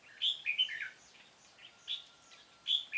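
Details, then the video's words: Red-whiskered bulbul phrases recorded while trapping with a decoy bird on 13 March 2017, a bright tumbling warble followed by short chirped notes repeated after brief pauses. "Bẫy chào mào Cánh bướm đẹp ngày 13/3/2017 phần 2"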